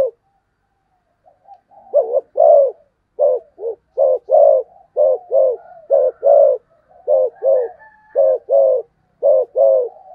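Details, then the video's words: Spotted dove in fast cooing: low, soft paired coos delivered in quick succession, about a dozen short bursts after a quiet start, each a mellow hooting double note; no other sounds. "cu gáy thúc gù tốc độ"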